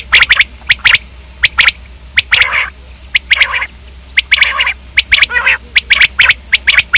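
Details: Steady run of common quail calls: dense bunches of short high clicks, about one bunch every second, mixed with occasional hoarse squawks.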